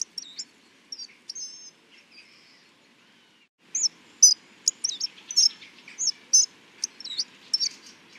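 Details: Hawfinch: a few soft, thin high notes at first, then a lively stretch of sharp ticks and squeaky slurred chirps delivered in quick irregular succession.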